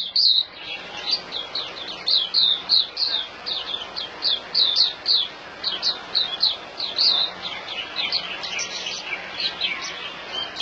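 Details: Singapore white-eye, called puteh, in a long, lively song of high, bright twittering notes. Quick descending chirps come in bursts, briefly thinning out midway, then the chatter resumes faster toward the end.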